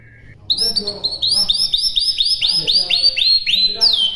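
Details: White-rumped shama song from a master recording for training birds to imitate: a fast run of about fourteen bright, high, downslurred notes repeated in steady succession after one brief low note.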